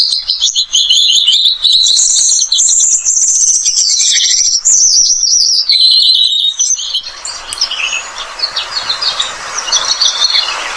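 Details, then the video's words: Australian pipit, described as a pest bird with a melodious chirping voice. A long, rapid, high-pitched warbling song of trills and swooping slurs runs about seven seconds, then fades into soft hissing noise with scattered faint twitters. "Emprit Australia, burung hama dengan suara kicauan yang merdu"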